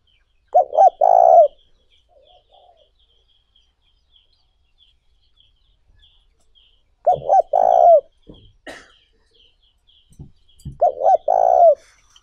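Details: Spotted dove cooing used as a lure to excite doves and train decoys: three phrases of brief double coos leading into a longer mellow coo, spaced about five seconds apart, with faint clicks between them.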